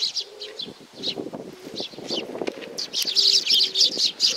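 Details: Sparrows coming for food at a shrine in Nakanoshima on 7 June 2020: scattered high chirps, with louder busy chirping near the end, over lower humming background sounds.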